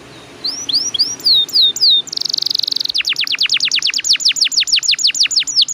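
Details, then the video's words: Canary song used as a lure for other canaries: a few upswept and down-slurred whistles, a dense high buzz, a rapid rattling roll, then a long series of quick downward-sweeping notes. "PANCINGAN KENARI GACOR NGEROLL PANJANG"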